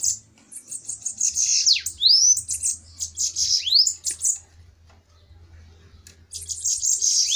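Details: Two-bird bananaquit duel, a spirited fight. Squeaky, high, buzzy phrases with swooping rising whistles fall silent for about two seconds, then break out again as a dense thin hiss.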